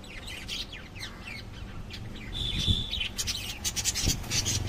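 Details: Lovebirds chirping in rapid, shrill bursts, with a longer buzzy squeal near the middle, over a low background rumble.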